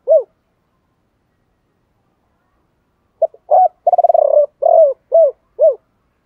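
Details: Spotted dove calls from a male and female, meant to trigger cooing in trained birds: one brief arched coo, silence, then a stuttered note, a trilled purring roll and three clear descending coos.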